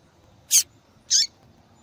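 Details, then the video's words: Female double-collared seedeater calling a lot to excite males: two bright, high, rasping chirps about half a second apart, with only low hum between. "Fêmea de Papa capim Chamando Muito para Esquentar papacapim !"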